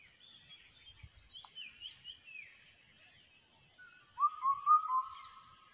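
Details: Changeable hawk-eagle chick: faint high twittering at first, then a loud wavering whistled series rising and falling near the end, over a quiet background.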